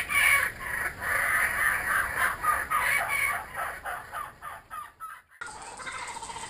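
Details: Kookaburras returned to an Australian home, laughing in rapid chattering pulses that fade out, then an abrupt cut to quieter background sound.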